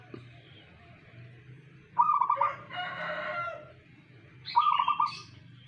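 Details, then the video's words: A local zebra dove delivers two rapid, beaded coo phrases about two and a half seconds apart. Between them another bird gives a rich harmonic, rooster-like call, over a low background hum. "perkutut manggung tiada tanding"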